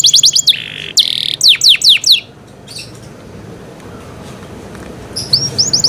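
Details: Canary with cenkok-style song: fast high trills and a short buzzy flat note in the opening two seconds, then a quiet pause, and the bright trilling returns near the end.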